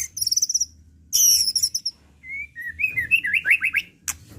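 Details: Excited white-rumped shama showing off its repertoire in an unrepeated lure recording: very high fast buzzy trills, then a series of rising whistles climbing into quick looping notes, ending with a sharp click.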